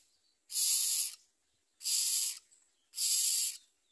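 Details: Common myna chicks at the nest with their mother, eating little and trying to bite her: three harsh, hissing rasps, each under a second long, repeated about every second and a quarter, with silence between.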